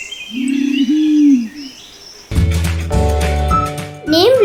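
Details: Green Imperial Pigeon, a very vocal bird of forested areas in Sri Lanka, gives one deep, drawn-out moaning coo with a brief catch midway, followed by loud background music and a child's voice.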